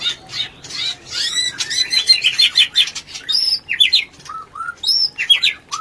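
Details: White-rumped shama rencetan sound meant to stimulate mating: dense buzzy chatter gives way to clear, separate whistled phrases, some sweeping upward and some dropping low, with scattered clicks.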